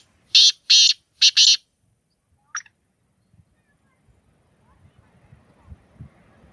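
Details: Black francolin (kala teetar) gives a loud phrase of four harsh, buzzy bursts in about a second, followed by near silence with faint low rustling.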